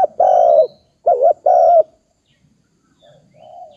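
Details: Close dove coo: a long steady low note, a short wavering double note, then another long note, followed by quieter distant cooing and a faint high chirp.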